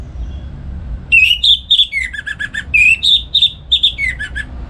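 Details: Morning song of a home-kept orange-headed thrush in lively ngeplong style, played for tutoring songbirds: rich run of whistled notes rising and falling, ending in short descending slurred notes, rapid and varied.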